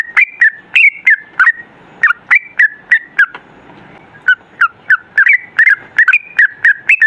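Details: Sooty-headed bulbul singing a gacor 'ropel' song, meant as a lure to draw replies from other birds. Rapid, rollicking whistled couplets rise and fall, keeping up about three notes a second with one brief break midway.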